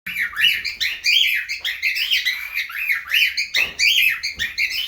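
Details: Cockatiels in an aviary in breeding mood: continuous busy chattering of overlapping chirps and short rising-falling whistled notes, several birds calling at once.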